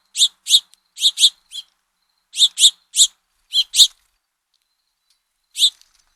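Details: Fledgling house finches begging for food as their father feeds them, recorded by a trail camera: short, harsh, high chirps in quick pairs and bursts, clustered then pausing, with a single chirp near the end.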